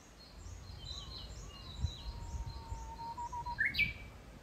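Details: Japanese bush warbler singing in fresh green forest at Kitayama, Kyoto, Japan, June 2022: a long, low, slightly rising whistle that ends in an abrupt, sharp upward flourish, with faint high chirps from other birds behind it.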